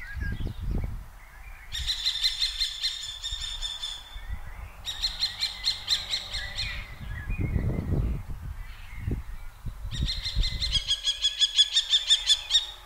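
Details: Two common kestrel pairs scold each other while hovering, on 15 June 2023 in 4x slow motion, giving bursts of rapid, shrill, repeated 'kee-kee-kee' notes, each run lasting a few seconds, over low wind rumble and bumps.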